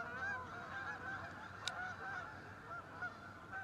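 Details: Canada geese from a resident local flock honking steadily, many birds calling over one another in a dense chorus of short nasal notes with no pauses, and a brief sharp click near the middle.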